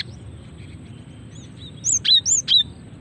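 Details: Calls of a female cinereous tit meant to attract and provoke males into song: quiet start with faint notes, then four loud, high, curved whistled chips in a quick sequence near the end, low hum underneath.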